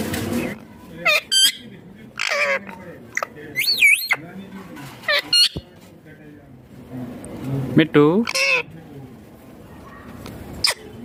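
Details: Ringneck green parrot kept as a pet, talking and calling, with scattered bursts of short squawks, wavering high notes and quick chattering syllables over eleven seconds, quieter gaps in between.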